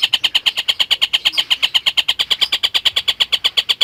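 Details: Collared kingfisher, steadily chattering, serving as a model for lovebirds: an unbroken, even rattle of sharp, rapid kek notes, about eight per second, held for nearly four seconds.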